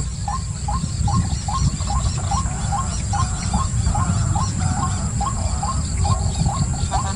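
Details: White-breasted waterhen giving a long run of short, upward-flicking croaking notes, about three per second, steady and rhythmic over a constant low rumbling background.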